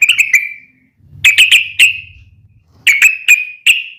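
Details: Yellow-vented bulbul fighting call used to provoke responses from other bulbuls: clusters of sharp, high whistled chips trailing into a thin drawn-out note, three groups in four seconds, with low rumble between.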